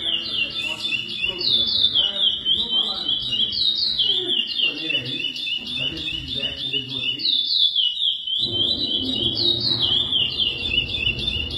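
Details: Lesser seed finch (curió) from a breeding facility delivering its classic praia-style song. Bright whistles slide downward in quick looping phrases, with a short pause near the end before the phrases resume over a low indoor rumble.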